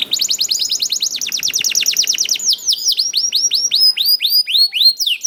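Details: Young canary singing in the rolling, continuous chirping style used as a lure to prompt other canaries to sing: a fast trill of high down-sweeping notes gives way to slower, evenly spaced arched whistles.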